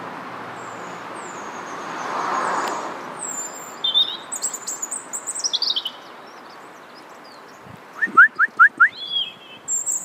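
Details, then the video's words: European robin song: high, thin, sliding whistled phrases with brief pauses, followed near the end by a quick series of five lower, clipped repeated notes, set against a faint background hum. "English Robin - Erithacus rubecula - Rødhals - Glóbrystingur - Söngfugl"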